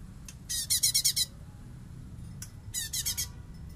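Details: Master song of a light-vented bulbul for training songbirds, bessetan style: two bursts of rapid rasping, hissing pulses, about six each, with short descending whistles beneath, separated by a pause; low background hum throughout.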